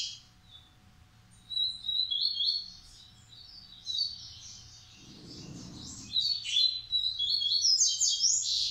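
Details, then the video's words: Captive Coleiro singing Massai and baiano style phrases: scattered high chirps, then rapid jumbled warbling notes building into loud buzzy trills, with a brief low rustle midway. "Coleiro Massai x Coleiro baiano"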